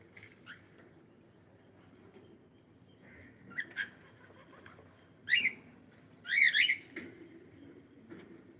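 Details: Cockatiel giving several short chirping calls, two louder rising-falling squawks near the end, over a low indoor background hum.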